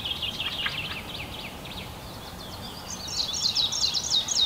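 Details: Fieldfare calls beside a grown fledgling perched on a branch waiting for its parents to feed it, Kalinovsky forest park, Yekaterinburg, 29.05.2020: quick high chirps, about four a second, louder and busier toward the end, over faint hiss.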